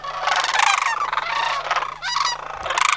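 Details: Part of a flock of about 100 sandhill cranes in Homer, autumn migration 2009. Dense rattling bugles rise and fall in quick bursts, trilled and throaty, with a short break near the end.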